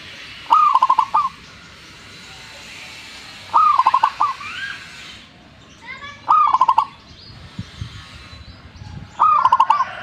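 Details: Zebra dove in full song, delivering four staccato cooing phrases roughly every three seconds. Each is a fast stutter of bright notes trailing into a rolling finish, with faint other bird calls between phrases.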